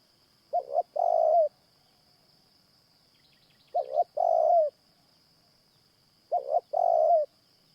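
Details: Spotted Dove calls at a morning trapping session with a caged decoy. Three phrases come about three seconds apart, each two short low notes followed by a drawn-out hollow coo, over a steady faint high-pitched whine.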